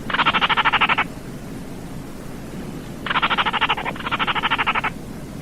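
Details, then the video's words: Baillon's crake calling: dry, frog-like rattling bursts of rapid pulses, each about a second long. One burst comes first, then after a pause two more follow in quick succession, over a low background hiss. "SUARA BURUNG RAWA TIKUSAN KERDIL"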